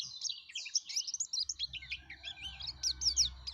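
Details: High, fast twittering and warbling of a yellow-breasted white-eye singing vigorously, over a faint low hum in the background.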